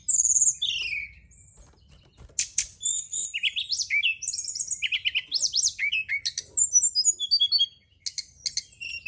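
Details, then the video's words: Night-time lure track of brown-chested jungle flycatcher song meant to spur birds into fuller singing: a long, busy run of bright, high whistles, rapid slurred trills and sharp chips, ending with a brief silence and a fresh burst. "Pancingan & Terapi Burung SRDC dimalam hari biar tambah GACOR & CEPAT NGEPLONG"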